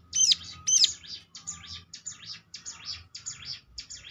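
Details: Prinia lure song: two loud, sharp, rising chirps, then a quicker series of softer, buzzy high notes repeated about twice a second.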